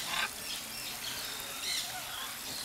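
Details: Harsh, raspy macaw squawks, one at the start and one near the end, from pairs of macaws at a bird sanctuary on the Brazilian side of Iguazú Falls, over a steady hiss of background noise.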